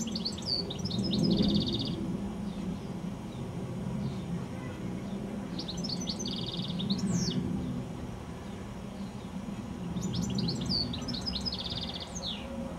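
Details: Evening goldfinch song from a high telephone wire shortly before sunset: three bright phrases of rapid high chirps, each closing with a buzzy rattled trill and a falling slur, spaced about four seconds apart, with low steady background rumble.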